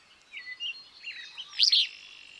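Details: Willow flycatcher in Wisconsin delivering one loud burry two-part phrase near the end, over a backdrop of softer chirps and warbles from other birds.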